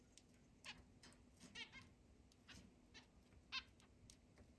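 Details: A group of eight pet zebra finches living in a large indoor cage and flying free around the house, 10 July 2022; scattered brief nasal beeps at irregular intervals, about half a dozen, with soft room noise.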